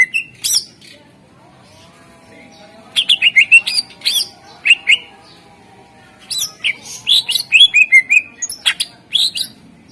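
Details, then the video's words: Greater green leafbird song meant to coax other birds into singing: loud bursts of sharp, clicking and whistled notes in rapid strings, separated by short quiet gaps, with a faint low hum underneath. "Suara Pancingan CuCak Ijo / Murai Ijo Gacor Ampuh Bangat Burung Pancing Burung Yang Macet Suara"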